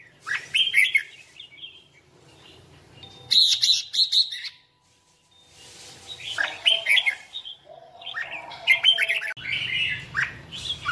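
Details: Red-whiskered bulbul in song-duel voice training gives short, bright, warbled whistle phrases in bursts a few seconds apart, with quiet pauses between and a faint low background hum.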